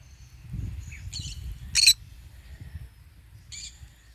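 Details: Green-cheeked conure basking and feeding in morning sun: a few brief scratchy chirps, then one loud harsh squawk, followed by a softer chirp after a pause, over low rustling background.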